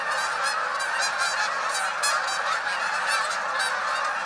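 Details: Hundreds of Canada geese taking to the sky honk continuously, many nasal, two-toned calls overlapping in a dense chorus with no pause.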